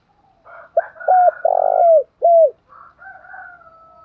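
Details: Spotted dove song in the 'thổ pha đồng' style. One phrase of deep coos: two short notes, then a long purring coo falling at the end, then a final drooping coo. Soft higher tonal sounds run in the background.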